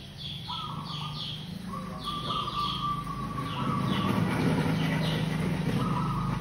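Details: Local zebra dove calling as a lure: long, level, rolling coo notes, one stretching over a second, while other birds chirp and a low rumble swells in the background.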